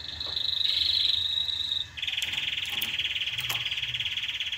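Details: Canary song for stimulating breeding and tutoring chicks: a higher rapid trill briefly breaks off, then a slightly lower, steady pulsed roll runs to the end with faint clicks.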